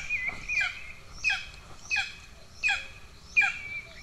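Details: Two golden eagle chicks in Estonia on 2 June 2024, hungry, with the first attacking the second; five loud descending squeals come evenly, roughly every 0.7 seconds, each ending in a drawn-out whine.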